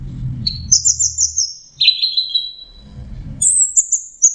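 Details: Anis merah, the orange-headed thrush, in song: a trilled high whistle, a lower buzzy falling phrase, then a very high warbled phrase, with low murmuring noise between phrases.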